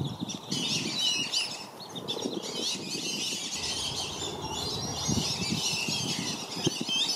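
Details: Flock of black-bellied whistling ducks surrounding a family with five flightless juveniles in Lakeland, Florida; steady overlapping high whistles fill the recording while water churns and wings beat low in the background.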